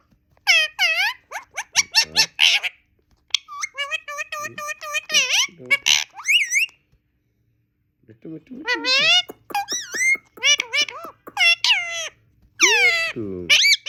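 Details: Pet talking parrot repeating human phrases in a high, nasal voice, such as "good talk" and "what do we do", in quick bursts separated by short pauses, with people laughing and speaking nearby.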